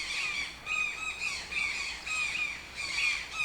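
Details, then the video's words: Toucan heard somewhat softer, giving hoarse, rasping squawks spaced about every half second, each slightly rising then dropping, over faint background hiss. "TOUCAN SOUNDS - Toucan Sound Effect"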